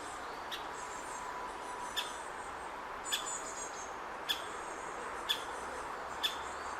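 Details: Great spotted woodpecker chick in its nest hole, waiting for its parents to feed it, at Hokkaido University Botanic Garden, Hokkaido, June 2019. Six sharp, clipped kik notes arrive roughly once a second over a steady background hum, with faint high chatter.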